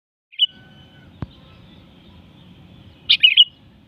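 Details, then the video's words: Sooty-headed bulbul (kutilang) giving a brief bubbly phrase of three quick notes in the upper-middle range near the end, after a single short chirp and a sharp click, over a faint low rumble. "SUARA MERDU BURUNG KUTILANG"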